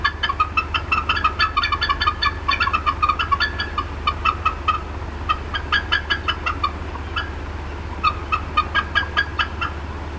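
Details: Upset adult female bald eagle clucking for a long time at the Decorah North nest, 4:23 PM CDT, 18 April 2016: rapid chattering squeaks in uneven bursts with brief pauses, low hum throughout.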